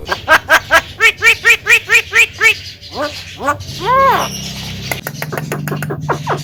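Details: Javan myna repeating about ten short, evenly spaced arched notes in quick succession, then a few rising, swooping calls and a louder drawn-out bent note, followed by soft clicking sounds.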